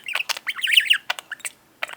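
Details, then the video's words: Indoor pet budgerigar in a cage beside a wall carrying water pipes, giving a quick twittering phrase of squeaky chirps and a warbled middle section, then a pause and one more chirp. "Mango the incessant talking budgie"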